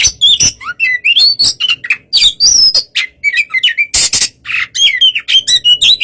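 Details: White-rumped shama pouring out a relaxed provoking song to make a less aggressive bird answer; continuous mix of whistled slides, harsh rasps and chirps with hardly any break.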